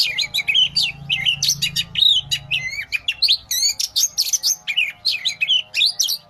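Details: A lively Oriental magpie-robin pours out fast, varied song of squeaky whistles, quick rising and falling slurs and chirps in dense unbroken phrases, with a faint low hum beneath.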